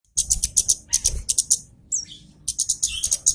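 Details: Javan cochoa loud call played as a lure to provoke a rival: rapid bursts of very high, sharp chip notes in quick runs, with a brief downslurred whistle in the middle.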